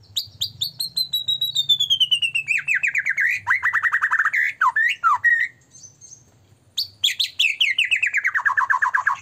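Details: White-rumped shama singing hard as a lure to make other shamas sing and become agitated: long cascades of rapid descending trilled notes, loud and rich, broken by a short pause before another tumbling, falling phrase.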